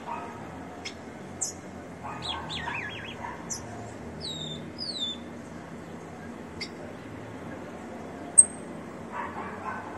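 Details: Captive, leg-ringed rufous-collared sparrow singing a little: a few clear descending whistles near the middle, scattered high sharp chips and clicks around them, steady background hiss.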